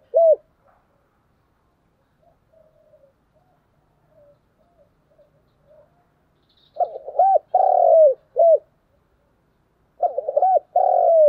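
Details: Spotted dove in a spirited cooing duel. Brief soft murmuring coos open it, followed by two full phrases: paired quick notes, a drawn-out falling coo and a crisp last note, about three seconds apart.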